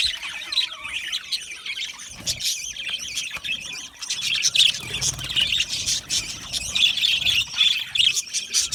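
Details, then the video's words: Budgerigars in an aviary, a constant overlapping chorus of high chirps, squeaks and warbling chatter, busier toward the end. "Australian Budgie parrot chirping sounds"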